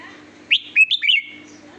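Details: Red-whiskered bulbul with a sweet song: one brisk phrase of four clear, liquid whistles, rising and falling, against a faint constant background hum.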